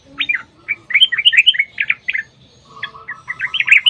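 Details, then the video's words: Fighting-style long rapid yellow-vented bulbul song used as a lure: a run of bright gurgling chirps, a short gap, then another burst of liquid notes, with a faint low steady tone and hum behind. "TRUCUKAN TARUNG ROPEL PANJANG | Pancingan Trucukan agar bunyi jadikan Burung Trucuk Gacor EMOSI"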